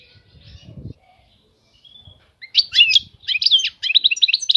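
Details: European goldfinch starting to sing after quiet moments, short scratchy twitters and chirps growing louder toward the end, with brief low rustling noises early on.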